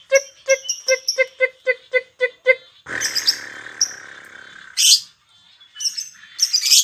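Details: Lovebird singing a rapid ticking "koek koek ngetik" series, about five clipped harmonic notes a second, then harsher chattering and hissy squeaks, played to stimulate other lovebirds to sing.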